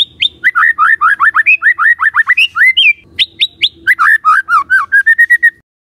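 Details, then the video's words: Lure recording of white-rumped shama song to provoke rivals: long, fast, unbroken sequence of varied whistled notes, looping and upslurred, with sharp higher notes midway and a rapid twittering finish. "Dalam Hitungan DETIK Murai Cepat NYAMBAR❗ Pancingan Murai Batu"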